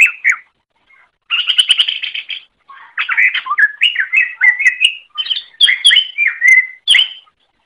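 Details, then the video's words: Greater green leafbird song, recorded for other birds to learn from: a short whistle, a buzzy trilled burst, then a varied sequence of loud, slurred, rising and falling whistled notes. "Masteran Suara Cucak Ijo"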